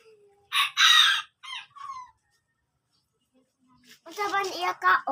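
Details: Chickens: a loud, coarse squawk near the start with two short follow-up notes. After a quiet gap, a rich, harmonic, wavering cry lasts about a second.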